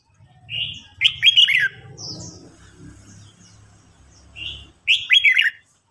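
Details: Red-whiskered bulbul song duel, an old wild-caught bird goading a young newly caught bird: two rich warbled phrases of descending slurred notes about four seconds apart, with a faint low rumble beneath.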